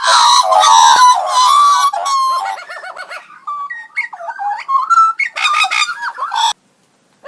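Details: A magpie producing unusual robot-like sounds: rapid wavering warbles, buzzy rattling trills and pitch-bending electronic-sounding tones in quick succession, loud and varied, then a brief silence at the end.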